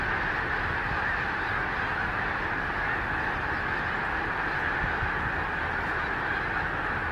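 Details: Thousands of voices from a huge Snow Goose flock circling Gordon's Pond in Cape Henlopen State Park, Delaware, in late December. The honking forms a dense, even roar that holds steady for the whole stretch, with no other clear sounds.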